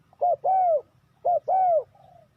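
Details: Spotted dove call used as a lure to trap wild doves: two phrases, each a short coo followed by a longer, smooth, slightly arched coo, with a faint trailing note at the end over a quiet low rumble.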